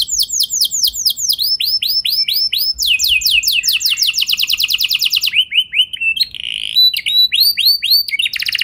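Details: Canary song for drawing other canaries into long rolls: varied runs of high downslurred notes at changing speeds, a pulsed trill, then scattered chirps and a short buzzy phrase.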